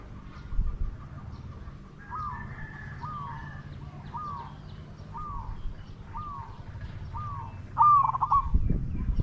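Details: Spotted dove used for decoy luring of wild doves, calling in a steady series of short falling, slightly rough coos roughly every 0.6 seconds, ending in a louder rolling phrase, with low rumbling background noise.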